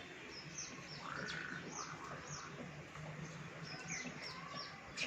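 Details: High, quick downslurred chirps from Baya weavers at a balcony during the monsoon, repeated in an even chattering rhythm, with a brief whistled tone and a low background drone.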